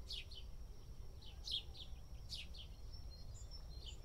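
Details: House sparrows in India, dust bathing, give bright, sharp chirps in short bursts about once a second, with a thin steady whine and a low background rumble.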